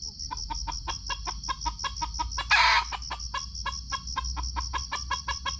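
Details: Red junglefowl at a Sumatran trapping spot, filmed on GoPro: dense steady clucks about five per second, interrupted once by a loud rough burst, all over a constant high-pitched cricket trill.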